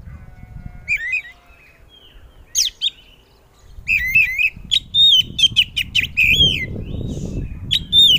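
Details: Loud Oriental magpie-robin song that prompts other magpie-robins to reply. Scattered whistles at first, then a dense run of sharp, ringing notes, slurred whistles and quick chips over low rumbling noise.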